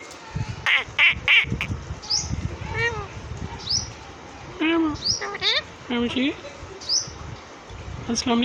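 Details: A pet parrot producing harmonic meow-like calls, rising chirps and clipped speech-like sounds in rapid bursts, with thumping noises and a person saying honey at the end.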